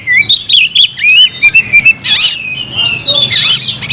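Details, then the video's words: Kacer (oriental magpie-robin) challenging a rival with song: a run of bright, wavering whistles and short chirps, broken by two bursts of harsh rasping notes. "kacer gacor‼️kicau burung Kacer gacor memanggil lawan tarung"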